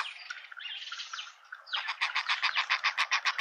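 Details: In a South African suburban garden in Pretoria, a young hornbill and its parents: soft, mixed chatter gives way to a loud, regular series of nasal, pulsing notes, close to four each second.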